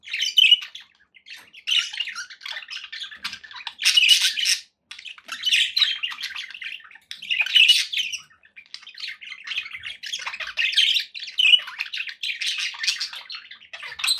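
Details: Several pet budgies chirping indoors, scratchy chattering phrases of one to two seconds repeating with short gaps, some louder squawky bursts among softer twitters.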